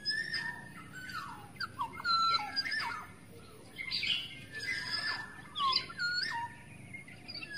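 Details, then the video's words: Black-naped oriole lure call from a wild forest bird: repeated fluty whistles dropping in pitch, interspersed with scratchy, harsh notes, in uneven bursts throughout. "SUARA PIKAT KEPODANG EMAS ASLI HUTAN"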